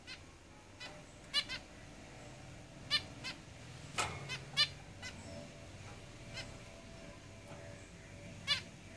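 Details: Zebra finches in a cage give brief, nasal, honking beeps in quick pairs and singles, spread unevenly, with a sharp click-like knock midway and quiet background hiss.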